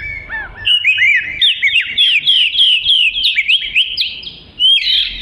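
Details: Oriental magpie-robin singing constantly, offered as song material for training other birds: rapid, rich chirping phrases with bright sliding whistles, a short dip in volume, then a loud burst at the end.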